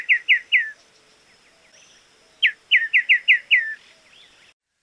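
Crested Becard giving short, clear, down-slurred whistles in quick runs, three notes and then six, over a faint steady high insect-like hiss.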